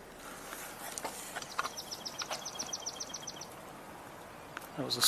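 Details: A single Swamp Sparrow, heard on a tour on 14 June 2025, sings a slow, even trill of about a dozen sweet, high notes, with a faint voice starting at the end.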